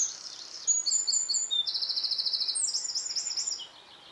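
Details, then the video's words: Wren song at sunset in a dawn chorus, a fast, high-pitched stream of sharp notes running into a long, even rattling trill and then a descending series of chirps, fading at the end. "Wren singing at sunset"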